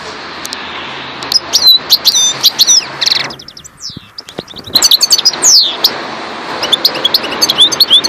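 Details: European goldfinch of the parva subspecies singing: rapid bursts of sharp, high, liquid twitters and short trills, a brief lull near the middle, then renewed quick tinkling phrases over a faint steady low hum.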